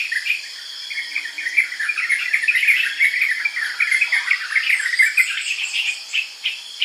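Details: Lively chattering of a yellow-vented bulbul: dense runs of short chirped notes that rise and fall, with a constant buzzing of insects behind.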